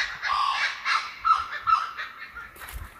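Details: Laughing kookaburra heard while walking at Jim Jim Falls, Kakadu National Park, Australia: harsh, cackling chuckles in rolling bursts of about two per second, fading toward the end, with a brief rustle at the close.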